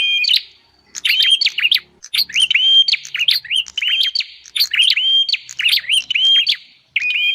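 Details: Bar-winged prinia calls for luring wild birds: after a brief silence, a steady series of bright chirped phrases, each with flicked notes and a short even whistle, repeated without pause.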